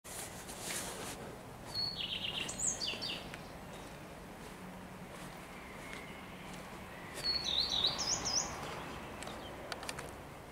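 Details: Common Redstart singing on 12 May 2023, with a blackbird also present: two short, high phrases about five seconds apart, each opening with a thin clear note, dropping into a few slurred notes and ending in a quick higher twitter, over steady background noise.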